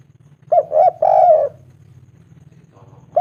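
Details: Spotted dove, local bird, calling a female: two quick mellow coos and a drawn-out rolling note, followed by a low constant hum and another coo at the end.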